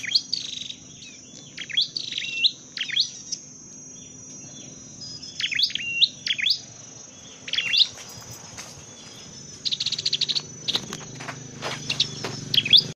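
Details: A Dark-necked tailorbird in a training and trapping setting gives bursts of sharp, high chirps, first in quick groups and then scattered, while clicks, rustling and insect-like buzzing fill the later part.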